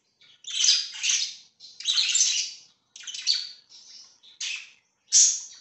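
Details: Pet budgerigars on 24 September 2024 chatter in loud, harsh, scratchy bursts, some nearly a second long, followed by shorter sharp chirps and a final loud squawk.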